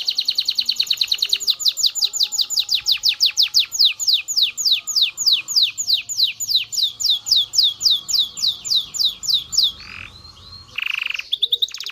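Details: Canary song played to stimulate males and females to mate: fast trills of descending whistled sweeps repeated about three times per second, a rapid rattling tour at the start, ending in short buzzy notes.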